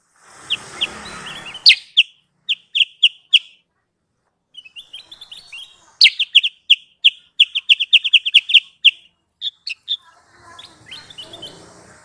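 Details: Lure call for trapping sooty-headed bulbuls: rapid bursts of high, sharp chirps, several per second, broken by a short pause. Rustling noise is heard at the start and end.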